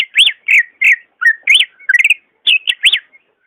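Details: Greater green leafbird song used to spur a reluctant caged bird: loud arching whistled notes roughly every third of a second, with a quick trilled group in the middle.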